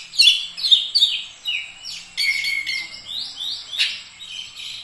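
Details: Oriental magpie-robin in full song, a rapid run of sharp descending whistled sweeps followed by buzzy rising notes and a sustained tone, bright and high, with little else audible.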